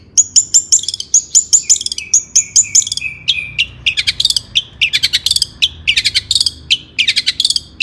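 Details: Long-tailed shrike in agitated, lively song used to provoke other shrikes into singing: fast series of sharp high chirps, first in evenly repeated paired notes, then denser clusters of scratchy bursts, with no other sounds.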